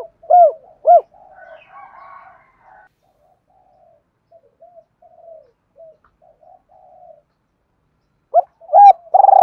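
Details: Spotted dove cooing to lure wild doves: two loud arched coo notes open, followed by soft, faint murmuring coos, then more arched coos return near the end.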